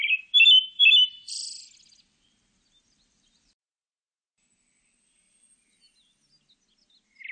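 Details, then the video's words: Pale thrush singing in a 2020 recording: clipped fluty notes, then a high, scratchy twitter. A long quiet gap follows, and a new low whistle starts just before the end. "흰배지빠귀, 여러번 듣기, 곤충소리, 새소리"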